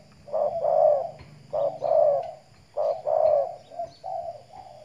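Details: Spotted dove kept as a decoy bird, sunning in the morning in Riau Islands: three rounded, breathy coo phrases roughly a second apart, each a short note followed by a longer fuller one, over a low hum and faint high whine.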